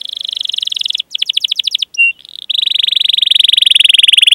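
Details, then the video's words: Canary training recording used to coax young or stalled canaries into song: long, even, rapid buzzing rolls, broken by a short burst of fast chirps and a single clear note, then a steady roll to the end. "Masteran Suara Burung Kenari Gacor Panjang cuit cuit Ngerol untuk Pancingan Kenari!"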